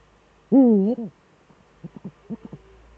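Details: Eurasian eagle-owl duet, male at the nest, Eifel, 13 December 2013 at 17:25. A single loud, low hoot with a wavering contour and a short tail, followed by a few quiet, clipped low notes.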